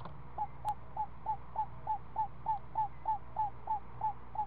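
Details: Afternoon feeding at the nest of a one-week-old owl owlet given snake by its mother: even series of short hooked notes, roughly three per second, plus a soft continuous hum.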